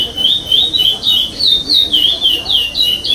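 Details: Sem repetição song from a curió pardo (chestnut-bellied seed finch) in the 2021 state contest's eighth stage, fifth place: loud sweet whistles strung rapidly together, each note sliding down, little other noise.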